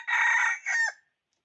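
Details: Red junglefowl cock kept as a decoy to call in wild fowl, dated 6/1/2021, gives a single ringing two-part crow lasting about a second, a long even opening then a shorter phrase trailing downward, then silence.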